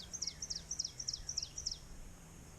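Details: Ovenbird in late spring in Great Neck Conservation Area, Wareham, Massachusetts, singing a quick, high string of about six two-note 'teacher' phrases, one every third of a second, over a faint low hum. A ground-nesting warbler.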